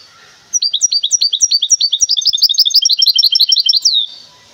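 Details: A goldfinch hybrid from Temara sings a rapid, bright run of twittering notes, about two per second at first, then quickening into a high trill, with no other sounds.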